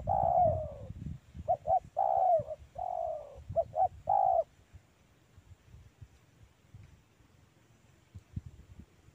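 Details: Wild spotted dove in a mango orchard giving a phrase of short hooted notes and drawn-out, downslurred coos. The phrase stops after about four seconds, leaving faint low background noise.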